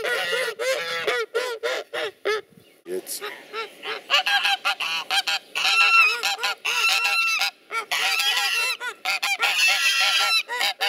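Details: Geese acting as watchful guards, honking loudly and aggressively to drive off potential enemies: a dense chorus of harsh, nasal, repeated honks from several birds, coming in bursts with brief gaps.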